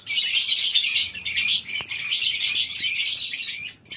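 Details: Many lovebirds in a colony aviary on a breeding farm in the morning, filling the air with dense, continuous high-pitched chirping and shrill twittering from numerous birds at once, with no pauses.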